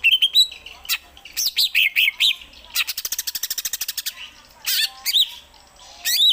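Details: Greater green leafbird kept at home unloading varied songs, Gereja Tarung style among them: bright whistled and slurred phrases, a rapid ticking rattle in the middle, and sharp rising upslurred notes at the end.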